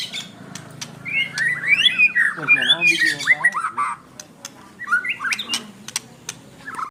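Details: White-rumped shama in full song, delivering bursts of varied whistled notes, squawky slurs and fast rattling trills, with short pauses between phrases.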